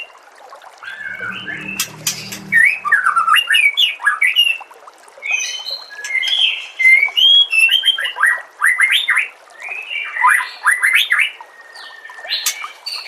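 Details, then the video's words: Varied song of a white-rumped shama, a master track for teaching songbirds: long, continuous bursts of looping, swooping whistles and quick chirps, with brief pauses between phrases and a faint low murmur near the start. "KOMBINASI MASTERAN MURAI BATU PALING LENGKAP DAN PALING JERNIH AUDIONYA"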